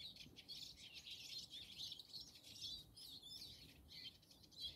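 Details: European robin in snow, 21 January 2024, with thin, high chirps and twitters running almost without pause; the busy texture may include other small birds, with faint low background rumble.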